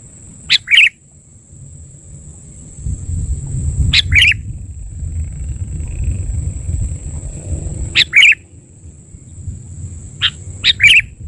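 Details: Sooty-headed bulbul (kutilang) lure call for trapping birds: short two-part calls, a sharp high note dropping into a lower whistled note, repeated at intervals of about two to four seconds over low background rumble.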